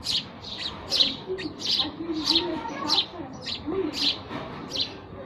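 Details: Sparrows give a run of sharp, buzzy chirps, several per second in places, loud and close, with faint low background noise.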